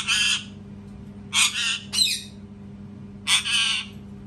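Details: Parrot screaming very loudly indoors: three harsh, broadband squawks of about half a second each, plus a short rasping note, spaced irregularly over four seconds against a steady low hum.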